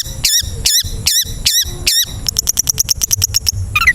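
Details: Long-tailed shrike song from a recording to train caged birds: a squeaky, wavering high note repeated about every 0.4 seconds, then a quick run of thin, dry ticking notes.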